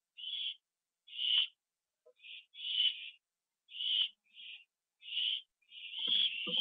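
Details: Owl at a nest, September 24, 2011, 7:39 PM, with prey delivered and eaten on the roof; rasping hiss-screeches in uneven bursts, some doubled, ending in a longer continuous hiss with scuffling noises.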